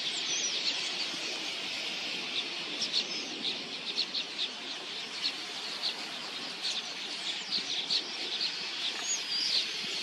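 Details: Huge flocks of migratory red-billed queleas, numbering in the millions, swarming in to drink at a watering hole: a dense, continuous wall of high chattering and twittering from countless birds, with a steady rushing roar beneath.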